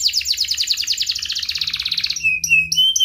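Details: Canary trilling at a fast pulse, about three notes a second, then switching to clear level whistles and short high chirps; a singing-lure for immature or silent canaries.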